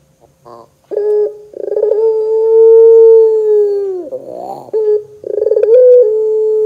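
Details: Barbary dove (puter pelung) lure call to make doves sing: a short burst, then a stuttering chuckle flowing into a long, smooth, low coo that bends down, a rough wavering murmur, and another pulsed chuckle-coo.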